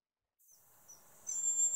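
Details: A male hazel grouse gives its whistled song, a very high, thin, drawn-out whistle over a faint hiss.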